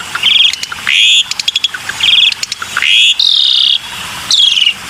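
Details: Harsh buzzy bursts from a black-winged myna alternate with quick clicking stutters and a long grating rasp, each burst lasting about half a second, in a lure recording.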